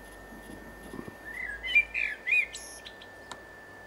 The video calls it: Blackbird Sings